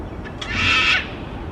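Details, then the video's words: Sulphur-crested cockatoo perched up high on a street light in Melbourne, giving a single harsh, half-second squawk with a few faint clicks before it, against low continuous city noise. "A sulphur crested cockatoo on a street light making cute sounds"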